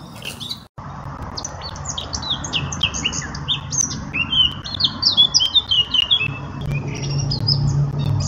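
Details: Eurasian blackcap giving a fast, scratchy chattering warble of many brief high notes, tumbling in irregular bursts, with a steady low hum underneath and a sharp click near the start.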